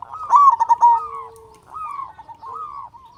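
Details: One strong-voiced local zebra dove, kept as a lure to arouse other doves, gives a clipped burst of rapid coos, followed by gentler, drawn-out cooing phrases from other doves.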